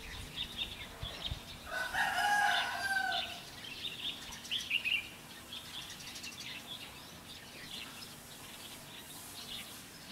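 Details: Red-whiskered bulbul used as a decoy while trapping wild birds over three days, 16 October 2016: a burst of clear, mellow whistled notes, then fainter chirps against steady outdoor background noise.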